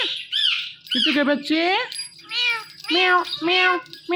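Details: Pet Indian ringneck parakeet mimicking speech: squeaky, harmonic meow-like syllables come in a few uneven phrases, with gaps of near quiet between them.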